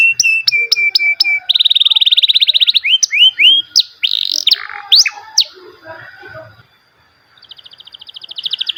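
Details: Canary song: rapid trills and repeated rising whistled notes at high pitch, a fast buzzy rolling tour, then sweeping slurred phrases, a short pause, and a final quick high trill.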